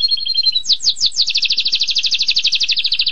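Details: Canary song, long-duration training recording: steady double-toned whistle, then a few downslurred notes, then a fast even trill of high buzzy pulses.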